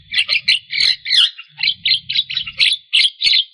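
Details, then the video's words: Energetic Javan myna song of the 'gacor full isian' kind, meant to prompt stressed or silent mynas into singing; rasping, grating notes come in a rapid, uneven string of short bursts, about three per second. "Suara Khas Jalak Kebo Gacor Full Isian"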